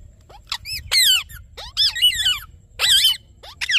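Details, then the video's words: Rose-ringed parakeet giving shrill, grating screeches, each bending up then down in pitch, in clusters of two or three with brief pauses between. "Natural Parrot Sounds"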